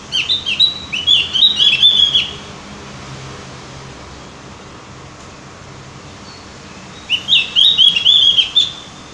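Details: Opior jawa (cucak gentong) lure song meant to prompt other birds into singing: two bursts of rapid, high, twittering chirps, each about two seconds long, separated by roughly five seconds of quiet background hiss.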